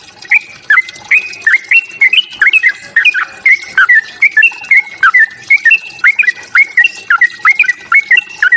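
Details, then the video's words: Sooty-headed bulbul fighting song meant to provoke other birds: a steady series of short bright whistled notes, each dropping then rising, repeated about twice a second, alternating between two similar pitches. "Suara TRUCUK TARUNG, memancing EMOSI bunyi trucukanmu."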